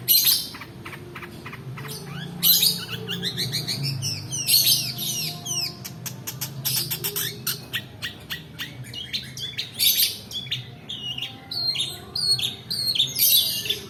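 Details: Rolling song of a long-tailed shrike, used as a lure for reluctant singers and for tutoring: a long, varied run of rapid clicks, buzzy rasps, sweeping notes and chatter, loud phrases recurring every second or two.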